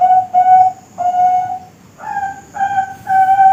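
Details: Young Bangkok-type zebra doves, kept for breeding and contests, giving soft whistled cooing notes: two level notes, a pause, a longer note, then three notes on a slightly higher pitch, each with faint overtones.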